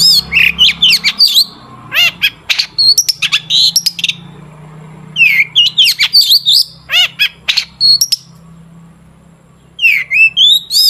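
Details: Long-tailed shrike, a lure for prompting shrikes to sing, delivering a long varied song in bursts: whistled swoops, scratchy chatters and sharp clicks, separated by short pauses, over a faint low hum.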